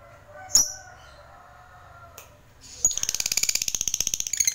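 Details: A fighter-type lovebird delivers its long ngekek song, meant to stimulate other lovebirds to sing: after a faint steady tone and a sharp click, a high, buzzy rattling trill of very rapid, evenly spaced pulses runs to the end.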